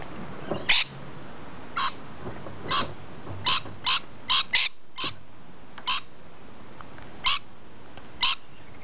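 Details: Rainbow lorikeets in a tree giving harsh, shrill screeching calls, about ten short rasping bursts spread unevenly through the clip, some in quick clusters, over low background rumble.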